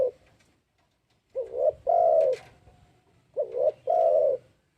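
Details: Spotted dove lure call: two mellow cooing phrases, each a brief rising double note leading into a longer, louder coo, with a soft low rumble underneath.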